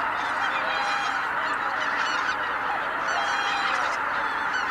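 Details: Greater white-fronted goose flock rising together at Kabukuri-numa, 12 January 2019. Clear, high, bisyllabic honks stand out in quick succession above a thick, constant babble of other geese.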